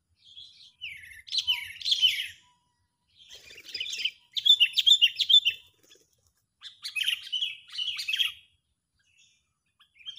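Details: Sooty-headed bulbul in an agitated state, used to lure birds into traps: repeated groups of sharp, downslurred chattering notes separated by short gaps, some phrases fast and stuttering.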